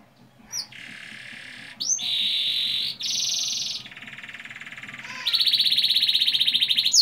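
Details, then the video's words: Lure recording of canary song for young birds: a string of buzzy sustained trills at shifting pitches, one after another, ending in a fast pulsing high roll. "Pancingan kenari paud ngeroll panjang, agar cepat ngeriwik dan gacor"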